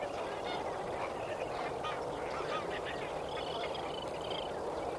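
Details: Lesser flamingos at Kamfers Dam at sunrise on 18 May 2024. A flock gives overlapping nasal honks and short goose-like chatter, with several callers at once over a steady broad hiss of wind or water.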